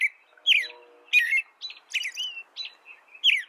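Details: American robin singing: short whistled, warbling phrases with slurred rising and falling notes, delivered in quick bursts separated by brief pauses, over a faint steady low hum.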